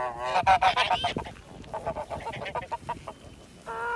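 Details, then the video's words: White Kholmogory gander hatched in 2017, kept on a farm for ancient and purebred breeds, recorded 7 September 2019: a burst of loud nasal honks, then a rapid run of shorter, softer cackling notes and a final drawn-out honk. "White holmogory gander"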